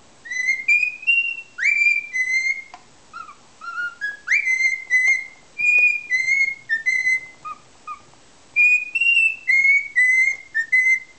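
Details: Cockatiel kept as a pet, taught "Que Sera Sera" and singing happily while striking a strange pose; phrases of clear whistled notes, some sharply upswept, others flat or dipping, in bursts with short pauses, nearly silent background.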